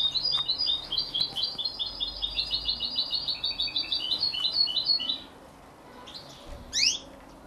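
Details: Hybrid of canary and European goldfinch at 33 days old delivers about five seconds of quick, rhythmic high chirps and twitters, then falls quiet apart from a couple of sharp rustling sounds.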